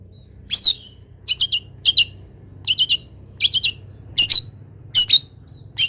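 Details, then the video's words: Long-tailed shrike song meant to train other songbirds: clusters of very high, rapid stuttering ticks in twos and threes, each burst separated by about half a second of quiet, with faint indoor hum. "MASTERAN CENDET ANTI GAGAL - CENDET MANAPUN IKUT BUNYI DENGAR INI"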